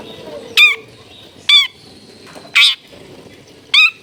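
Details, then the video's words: Long-tailed shrike singing clearly, its lively repertoire meant to goad other shrikes into singing: four separate rasping, squawky high notes spaced about a second apart, with faint background hum. "CENDET GACOR FULL ISIAN MEWAH SUARA JERNIH MUDAH DITIRU CENDET APAPUN"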